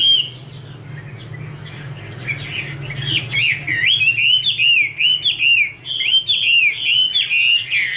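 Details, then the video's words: Female Chinese hwamei singing, with a male singing in the background: rapid, varied whistled phrases that waver and slur up and down. Quieter at first, then loud continuous warbling from about three and a half seconds, over a steady low hum. "Chim hoạ mi: Mái te đỉnh cao của năm _ có chim trống làm nền"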